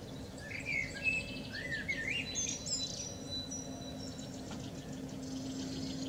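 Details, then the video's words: Common blackbird, described as having hiccups, singing in the morning sun, filmed handheld with a Nikon P900 camera. Low fluted, warbling phrases in the first two seconds end in squeaky twitters, over high trills from other birds and a steady low hum. "Amsel mit Schluckauf singt in der Morgensonne"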